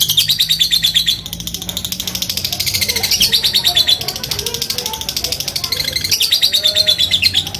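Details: Fighter lovebird ngekek panjang, provoking rivals: a sustained, fast high chatter with slight pitch swoops, briefly interrupted and resumed, with a low steady hum in the background.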